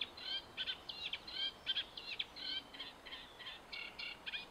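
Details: Eurasian reed warbler singing at Hammer Pond in Knepp Wildland: a steady run of short scratchy, chattering notes, repeated about three times a second in uneven rhythm, over a faint background hiss.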